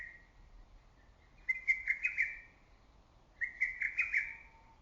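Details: Lesser cuckoo calling from woods in early summer, its voice ringing loudly through forest and valley: two rapid, emphatic whistled phrases of about five clipped notes each, sliding around a high pitch, separated by a short pause, over quiet background hiss.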